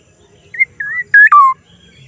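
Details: Black-naped oriole's unusual call, one clean phrase: two clear whistled notes, then a loud harsh note breaking into a long downward-sliding whistle.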